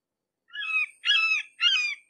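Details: Red-shouldered hawk recorded up close, giving three loud, harsh, screaming notes, each about half a second long and slightly down-slurred, repeated in quick succession with short gaps; no other sounds.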